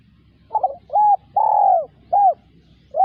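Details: Spotted dove coo phrase: a broken two-part opening note, a level coo, a long falling coo and a short arched note, with another phrase beginning at the end; faint low hum behind.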